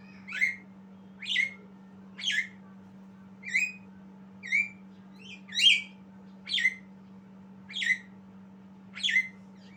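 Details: A young Javan myna learning its song repeats about ten harsh, buzzy notes that each end in a falling whistle, roughly one per second, against a steady background hum.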